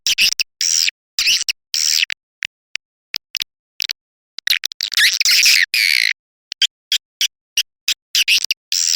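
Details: Lure call of edible-nest swiftlets used to attract the birds: short high buzzy chirps in irregular bursts with silent gaps, building to a longer dense rasping twitter midway before breaking into scattered chirps again.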